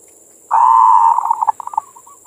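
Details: Perkutut, a local zebra dove, singing its manggung song used as bait: one long, steady, low coo breaking into quick stuttering notes that fade away, over a steady high hiss.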